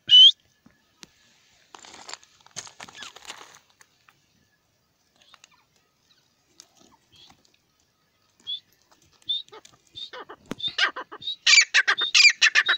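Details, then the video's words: A francolin (partridge, teetar) gives scattered harsh, scratchy high notes, then a loud closing run of rapid, grating calls; the start is quiet with only a few faint sounds. "best partridge sound . teetar ki awaz. francolins voice"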